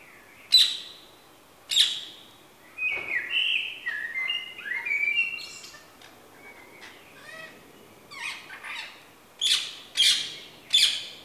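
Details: Common blackbird singing in a garden on a morning of 31 May 2017, fluted whistled phrases in the middle, framed by harsh screeching calls from ring-necked parakeets before and after.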